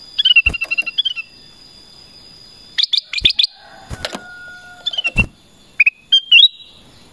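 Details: Kutilang emas, the black-crested bulbul, gives quick clusters of bright whistled notes, some sliding downward, broken by sharp loud clicks and a faint lower humming tone in the background.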